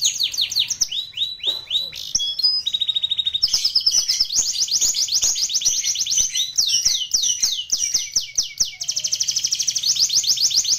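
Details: Canary song intended for training other canaries: varied phrases of falling whistled notes, a short steady tone, then long rapid rolling trills and repeated descending chirps.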